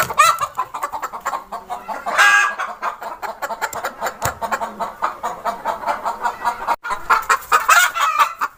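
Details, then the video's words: Chicken giving rapid, continuous clucks, many short broadband pulses in quick succession with a few louder squawk-like notes near two and seven seconds. "Funny Chicken sound"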